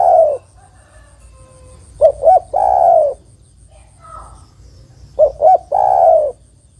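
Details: A female spotted dove calls for a male, played as a trapping lure. Two full phrases, each a pair of short clipped coos and a longer sustained coo, with a faint higher note between.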